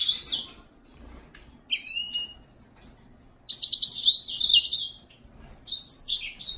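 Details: Yellow-fronted canary, or green singer, giving bursts of bright, high, twittering song phrases separated by pauses of a second or more.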